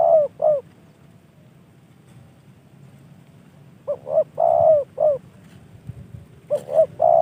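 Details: A gifted, trained spotted dove repeats its cooing phrase three times: paired short hoots, a long mellow coo and a closing note, with quiet pauses between phrases.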